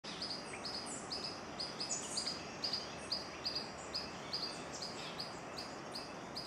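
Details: Striped manakin (Machaeropterus regulus) in the Magdalena Valley at Cocorna in November gives short, high chirps, roughly two per second and somewhat irregular, over a steady hiss of forest background noise.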